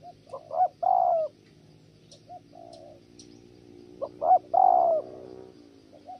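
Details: Spotted dove cooing while a female interrupts; two bursts of low hoots, each a short note followed by a longer wavering coo, with quieter notes between.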